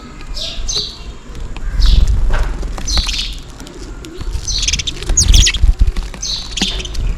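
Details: Sparrows chirping in the rain while calling for food: sharp, high chirps in loose bursts, some doubled, with low rumbling rain and a faint wing flutter in the background.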